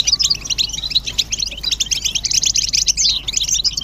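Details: European goldfinches calling together as mating and readiness calls to wake a male's song: fast glittering chirps and short buzzy trills packed closely, with a faint thin whistle near the start.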